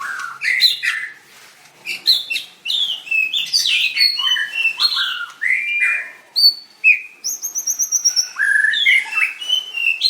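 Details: Winning white-rumped shama from a 7/25/16 singing contest, dancing and singing: bright varied whistles, high pure notes and a fast trilled series of repeated chips near the end.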